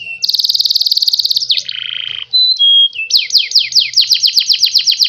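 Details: Canary singing, meant to provoke young birds into answering and copying: a bright, fast trill, a lower buzzy rattle, two short clear whistles, then repeated downward-sliding notes in quick succession, about five per second. The background is clean.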